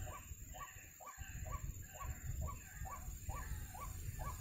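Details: White-breasted waterhen (ruak-ruak) at a trapping site, giving hooked, nasal notes repeated roughly every half second, with heavy low rumbling noise and handling thumps underneath.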